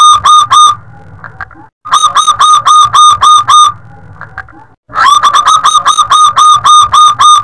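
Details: Local zebra dove, a loud, active caller with a long 'luk panjang' ending, kept for luring and for tutoring other birds. Loud, clipped series of rapid cooing notes, about four a second, in three bursts separated by short gaps, over a low rumble.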